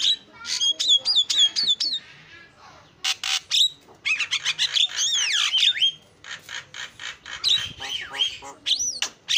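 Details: Javan myna in lively full song: quick series of repeated whistled phrases at the start, then harsh rasping bursts, slurred swooping whistles and chattering notes, with short pauses between bouts.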